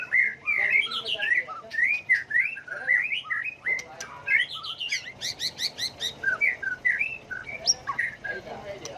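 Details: Varied, rapidly changing song of a white-rumped shama, used to provoke birds into song contests; lively runs of whistled and twittering notes about twice a second, with a burst of sharp high clicks midway.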